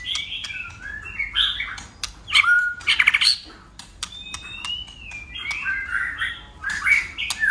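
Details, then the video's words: White-rumped shama in competitive song, flicking its tail and constantly changing voice. Harsh squawky bursts and clicks mix with long clear whistles and rising warbles. "Chòe lửa hót đấuđập đuôi đảo giọng liên tục!. cực bền.chòe lửa hót nhiều giọng"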